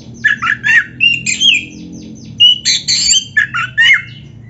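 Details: Oriental magpie-robin singing full, varied phrases for training other magpie-robins: a string of rich whistled and buzzy notes, some falling, some scratchy, delivered in quick succession with faint low hum behind.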